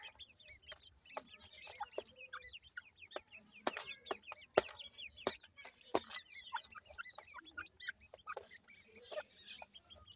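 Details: Several francolin chicks, known locally as dakhni teetar, in Punjab, Pakistan, cheep continuously with high, thin chirps and short slurred whistles, punctuated by sharp clicking taps throughout.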